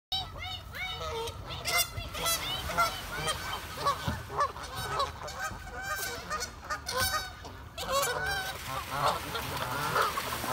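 Geese honk constantly in a noisy flock, many overlapping nasal calls rising and falling, with no break in the clamor.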